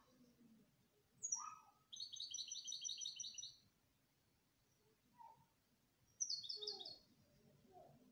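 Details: Canary song opening with a sharp high chirp, then a sustained buzzy trill of rapidly repeated notes lasting about two seconds, a lower short note, and later a brief high trilled phrase, with quiet low hum throughout.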